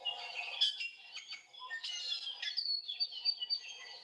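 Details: ʻIʻiwi, a native Hawaiian bird, gives a busy run of high, squeaky whistles and creaky notes, some sliding up or down, for about four seconds. These whistles and squeaks set it apart from the ʻamakihi's check-mark calls.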